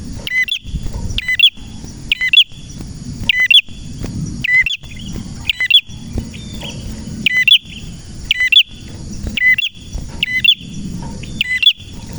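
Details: Energetic song of a male prenjak merah, a red prinia, used to teach and stir up other prinias: a long run of crisp paired high notes with bright clicks, given about once a second over a constant high whine.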